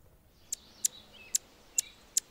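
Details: Territorial male Anna's hummingbird near a nest where a female is feeding a baby, giving five sharp, very high chip notes spaced roughly every half second over a quiet background.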